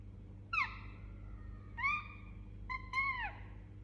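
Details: Pet Indian ringneck parakeet calling softly while asleep: three gentle, clear whistled notes with rich overtones, each bending up then down, spaced roughly a second apart, over a steady low hum.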